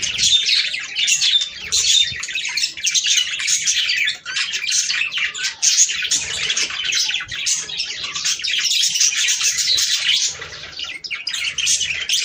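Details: Budgerigars singing together to encourage breeding, long dense run of twittering, chirps and scratchy warbles with brief dips in volume.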